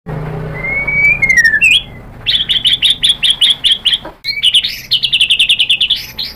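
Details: White-rumped shama song used to lure other shamas into singing: a long rising whistle, a few sliding notes, then fast trains of sharp repeated chips around mid-high pitch, broken by a short pause.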